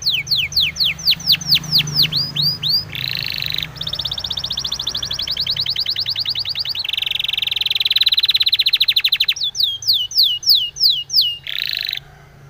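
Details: Spanish timbrado canary song for training canaries, changing through several tours: falling whistles, buzzy rattles, a long fast metallic trill, then more swooping notes and a final buzz.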